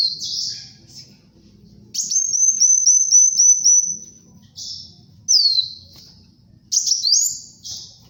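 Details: High-pitched sunbird singing for bird tutoring and luring: a rapid series of tiny repeated chips on one level pitch lasting two seconds, then several sweeping whistles that fall and rise.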